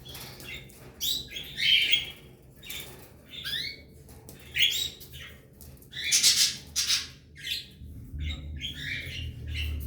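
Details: Belgian canary pair with three chicks in the nest, caged; harsh, buzzy squawking bursts repeated every second or so, interspersed with short chirps and occasional soft rustling.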